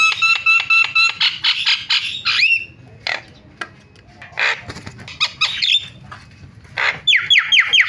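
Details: Starling calls used as a tutor recording to lure other starlings, including ones that have stopped singing, into calling: nasal, harmonic notes repeated rapidly for two seconds, a rising whistle, scattered harsh bursts, then quick upslurred whistles at the end.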